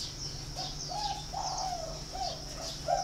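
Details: Spotted dove held at a Ba Vi, Hanoi bird farm in Vietnam, cooing in a run of soft hollow notes, one long drawn coo in the middle and short ones around it, while small birds twitter high above.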